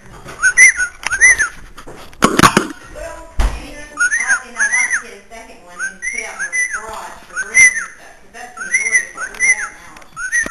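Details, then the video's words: Pet bird kept upstairs in a house in Illinois, whistling: repeated arched, rising-falling whistled notes in twos and threes, after a few loud knocks and handling noises, with faint speech behind. "The wistling Bird"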